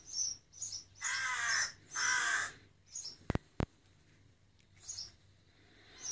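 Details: Rook fledgling begging for food: two long, rough caws back to back, high chirps before and after, and two sharp clicks in the middle.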